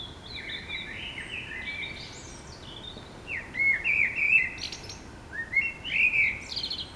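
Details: City blackbirds at dawn waking time, a string of fluty whistled notes, then two loud warbled phrases each ending in rapid high scratchy twitters, with low continuous town noise beneath.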